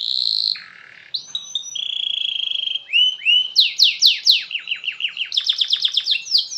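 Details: Canary in long continuous chirpy song, played to get other canaries singing: a high buzzy note, then a steady whistled tone, followed by repeated downward-swept slurs and a fast rhythmic trill of rapid high notes.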